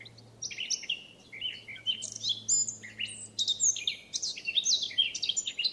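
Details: Free Eurasian blackcap in France delivering a continuous, rich warble: fluty whistles and rapid twittering notes jump between pitches without pause.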